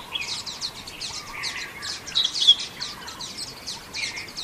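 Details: In Xinyuan Township on 3 June 2024, common waxbills twitter continuously with soft, high, overlapping chirps and occasional louder, sharper notes.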